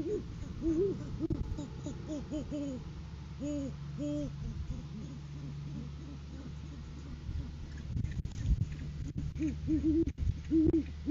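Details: Courting-season great horned owls recorded by a live cam on January 7, 2023, male arriving with a food gift for the female: a series of deep, rounded hoots, a short lull, then more hoots with scattered clicks and knocks.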